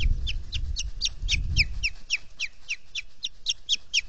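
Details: Osprey calling at a nest in the Finger Lakes region, US, with three birds present: a rapid series of sharp, high, slurred chirps repeated about four per second, over low wind rumble and banging from a camera housing in the first half.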